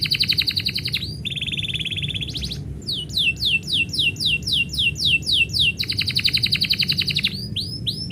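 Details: Canary, singing as its keeper gets ready to leave, delivers a pulsed trill, a rolled tone, a long run of rising swept notes about four per second, then another fast trill.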